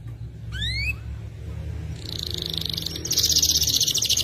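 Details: Canary (F2 YS) singing: one upward-sweeping whistled note, then a soft pause before a fast, high, rattling trill builds and grows louder toward the end, over low background hum.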